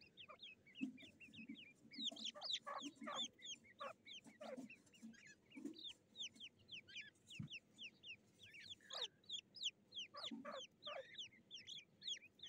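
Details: Fighting black francolin chicks, 18 July 2024: dense, continuous stream of short rising and falling high chirps from several young birds, mixed with lower clucking notes and occasional louder squawks.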